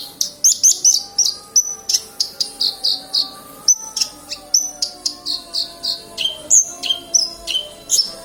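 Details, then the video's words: Energetic song of a black-winged myna: quick repeated high chirps and short whistled notes, some dropping lower, delivered in a steady stream over a faint humming background. "Branjagan gacor"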